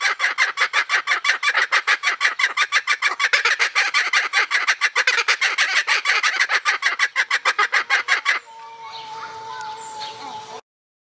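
A kookaburra's raucous laughing chorus, a rapid stream of harsh repeated notes for eight seconds, ending abruptly; quieter birds and a steady tone follow.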